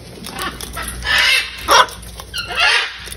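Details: Hundreds of wild macaws at feeding time, giving harsh, raspy squawks. Two long grating bursts and one short sharp one stand out over a steady background of flock chatter.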